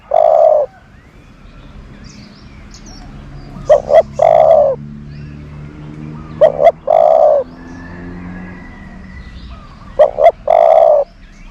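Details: Decoy dove for luring doves, cooing in a steady series: a long low coo, then three more phrases spaced about three seconds apart, each a quick double note followed by a sustained hoot.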